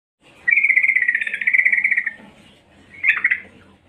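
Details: Female yellow-vented bulbul, said to be calling energetically to lure males: a long buzzy, rapidly pulsed note near one pitch lasting about one and a half seconds, then a shorter burst of the same rattling sound.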